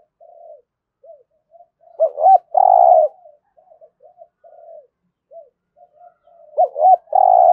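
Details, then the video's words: Spotted dove giving a full 'thổ' style cooing sequence meant to stir captive birds to call and fight: quiet low murmured notes, then two swooping coos and a long throbbing coo, repeated twice, with no other sounds. "Tiếng chim cu gáy thúc gù + thúc đấu đủ bài giọng THỔ"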